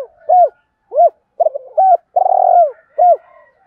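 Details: Spotted dove cooing, played daily to provoke wild doves to call: several separate arched coo notes, then a long vibrating purr that drops in pitch, then one more arched coo.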